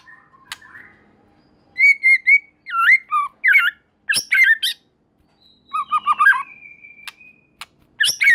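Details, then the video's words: White-rumped shama song, described as making other shamas join in: a series of clear whistled notes, downslurred and looping phrases, then sharp high chips and a long steady whistle among quieter background calls. "Murai Batu Gacor Super Mantul Murai Lain Otomatis Ikut Bunyi"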